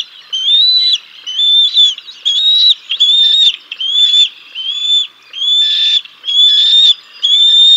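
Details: Bald eagles feeding chicks at the Decorah North nest on 6 May 2022: a long run of about nine high whistled calls, evenly pitched, each separated by brief gaps, with a few rougher notes.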